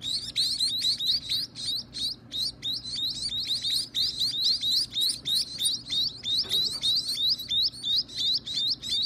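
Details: Chicks begging at feeding time, insistent piercing rising chirps in dense pulsing bursts, several birds calling together, about three calls a second, with a short thump midway.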